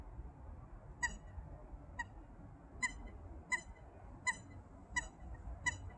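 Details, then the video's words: A group of Eurasian coots in winter, met outdoors during a workout, give short, sharp, toy-like squeaky calls, seven in about five seconds at an uneven pace, over a low rumble of background noise. "The sound of Eurasian Coot crying! It sounds like a toy."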